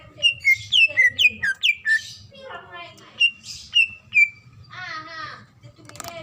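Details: Calling female greater green leafbird, in breeding condition and summoning the male: a quick run of clear down-slurred whistles about two per second, then buzzy harmonic notes, another string of whistles and a rasping burst.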